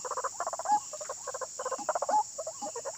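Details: White-breasted waterhen described as frenzied and agitated: rapid throaty croaking pulses in clusters, about forty-two per minute, broken by short whistled notes, over a steady high insect-like hiss.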